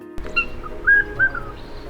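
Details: A critically endangered Regent Honeyeater sings in the forested mountains of New South Wales, Australia: a few clear, bell-like whistled notes, mid-high and slightly rising, over soft background music.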